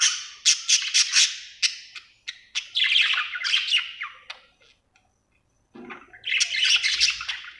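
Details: A happy budgerigar gives bursts of rapid, scratchy chirps and warbling chatter, pauses silent for about a second, then resumes with a dense buzzy warble.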